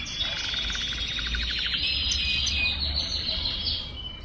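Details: Young canary, expected to breed well next season, developing its song: a rapid buzzy trill, then mixed chirps and whistles over steady background noise.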